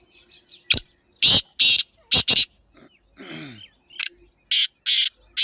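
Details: Black francolin calling: two bursts of loud, harsh, rasping notes, five clipped grating notes at first, then four more after a short pause, over a quiet background with a faint low hum.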